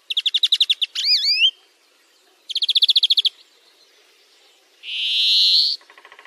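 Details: European greenfinch singing on a tutoring recording for song training: a rapid pulsed trill, twisting slurred whistles, a second trill, then one long harsh buzzy wheeze followed by a softer, lower rattle.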